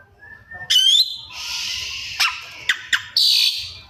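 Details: Oriental magpie-robin singing with mimicked elements: a soft thin whistle, a sharp rising note, a long harsh hissing buzz, quick clicks, then a final grating burst.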